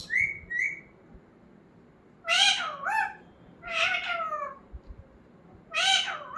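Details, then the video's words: Talking parrot kept as a pet: two short clear whistled notes open, then three loud, drawn-out, harmonic squawking utterances, rough and voice-like, spaced about two seconds apart. "Talking parrot"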